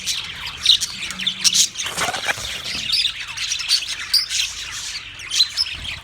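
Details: Australian parrots calling together on March 15, 2024: scratchy, piercing screeches overlapping constantly, with loud individual squawks standing out every second or so and a short low hum early on.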